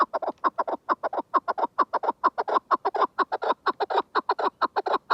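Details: {'caption': 'Chukar partridge delivering a vigorous, continuous string of raspy, cackling chuk notes, about five per second throughout, loud and steady.'}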